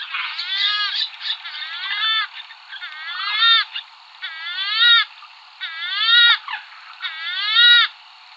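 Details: Western swamphen (Porphyrio porphyrio), Iberian bird, giving loud, nasal, wailing calls with a bending, trumpet-like tone in bursts about once a second, then pausing and repeating.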